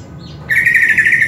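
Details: Greater green leafbird, kept songbird used as tutor audio: a faint thin rising note, then a loud fast warbled chatter continuing to the end.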